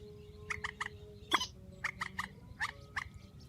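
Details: Grey-headed swamphen calls: short nasal harmonic notes in quick clusters of three or four, with one louder sharp note in the middle and a steady low hum beneath.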